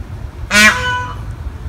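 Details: Peacock in a park near Austin, Texas, on Thanksgiving 2015, one of a group met on a hike, giving a single loud harsh honk with a rich stack of overtones, about half a second long, amid people talking.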